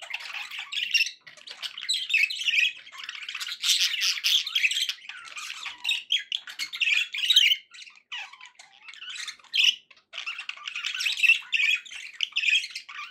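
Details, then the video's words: Steady budgerigar chatter from pet birds: an unbroken, buzzy, rasping warble of rapid squawks and chirps lasting throughout, with little pause. "budgie sounds to encourage your parrot to eat and sing"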